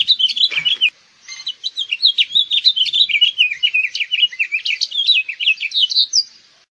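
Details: House finch (Haemorhous mexicanus), song.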